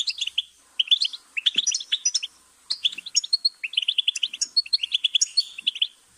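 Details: Goldfinch song: quick tinkling twitters and chirps in short phrases broken by small gaps, clear against a quiet background.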